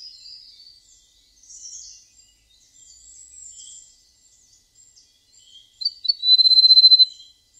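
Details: Golden prinia said to sing in a sweet, flute-like voice: faint high twittering for several seconds, then a few sharp notes leading into a loud, fast, evenly pulsed high trill lasting over a second.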